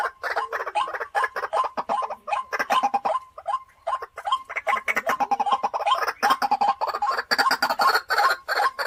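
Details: A caged white-breasted waterhen kept as a home decoy croaks in a long, nearly continuous harsh series. It dips briefly in the middle, then builds into rapid, loud repetitions.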